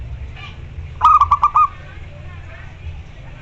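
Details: Local zebra dove calling to a rival, giving one short phrase of four or five quick, low, pulsed coo notes, the last slightly stretched, with steady low background noise.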